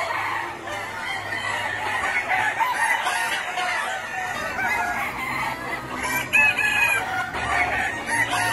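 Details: Chickens of Gà Nòi, Gà Tre bantam and crossbred types roaming a wide yard, pecking at greens, fruit and insects; constant flock clucking with sharper squawks after six seconds.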